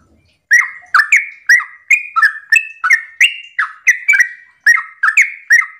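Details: Sooty-headed bulbul in lively morning 'ropel' song, meant to provoke other bulbuls into replying. After a brief pause, some fourteen crisp, chattering phrases follow each other quickly and evenly, each a bright flicked note with a short whistled trail.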